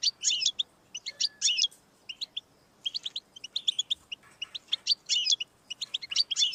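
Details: European goldfinch song aimed at getting a pet goldfinch singing: repeated bursts of rich, buzzy, tinkling twitter separated by brief pauses, fast and high throughout.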